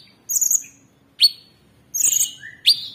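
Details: Caged Orange-bellied Leafbird singing tembakan phrases, recorded as a master for training cage birds: short bursts of high, chattering notes alternate with sharp rising whistles and a buzzy upward sweep, separated by brief silences.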